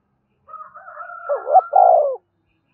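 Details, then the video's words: Spotted dove cooing in the 'gáy thúc' style meant to set captive birds calling along all day. A thin, higher drawn-out tone runs through the phrase, which ends in two strong, low, rounded coos. "Tiếng chim cu gáy thúc cực đỉnh, mở lên bổi nghe gáy theo cả ngày"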